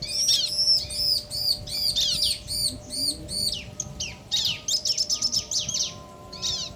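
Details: A pair of bar-winged prinias, male and female, calling back and forth. A steady series of high, down-arching notes comes about two to three per second, then breaks into faster, uneven chirping.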